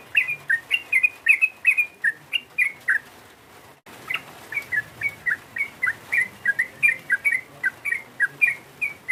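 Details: Sooty-headed bulbul provoking a rival: clear, liquid chirped notes with quick rising and falling inflections, delivered in a steady series about two to three per second, with one short break.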